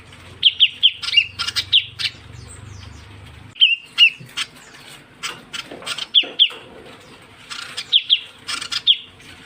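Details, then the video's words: Ciu kunyit bird lure sound: short groups of two or three high, piercing downslurred chirps separated by pauses, mixed with clicks, rustles and a low hum early on. "suara pikat burung ciu kunyit"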